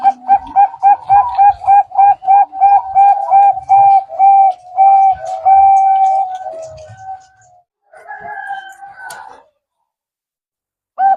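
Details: Zebra dove sound used to lure birds for trapping: a fast, steady string of staccato coos for about six seconds, a pause, a short trailing phrase, then one last note.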